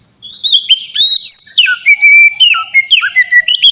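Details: White-rumped shama in 'ngeplong' song, meant to prompt other shamas into singing; clear, sweet whistles rising and falling, some sharp upward slides and quick repeated notes in a continuous, melodious run.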